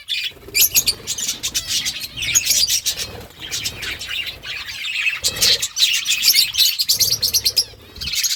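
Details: Several pet budgies chirp almost nonstop while feeding, a dense, buzzy warble of rapid chirps with brief pauses and faint rustling.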